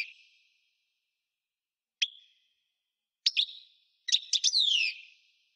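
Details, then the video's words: Singing parva goldfinch: a fading buzzy note, a lone sharp chip, then a double chip and finally a quick burst of chips leading into a descending, slurred whistle; silence in between. "Singing goldfinch - Chant chardonneret parva"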